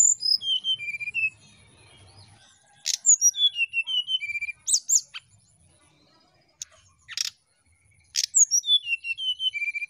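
A brown-chested jungle flycatcher sings high, clear whistles that fall in steps, repeated in quick phrases with a few sharp, dry clicks between them.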